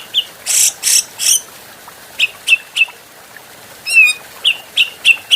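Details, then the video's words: Adult grey-cheeked bulbul, recorded as a training recording for other cage birds. Three loud buzzy broadband bursts, then short sharp chirps, then a bright rising whistled note and more clipped chirps, with faint background hiss. "Masteran Burung Cucak Jenggot"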